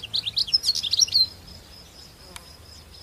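A European Goldfinch gives a rapid, tinkling jumble of high twittering notes for about a second, then a thin sustained tone and quiet background.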